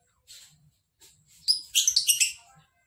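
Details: Ngekek trill from a lovebird. Two soft, hissy notes lead into a loud, harsh, rapidly stuttering chatter of about one second, with several stressed pulses, then it fades.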